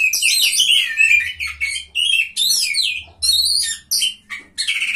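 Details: During a bird singing contest, a third-place Oriental magpie-robin produces loud, complex bursts of scratchy chatter and whistles, each lasting under a second with brief gaps, over faint low-pitched humming.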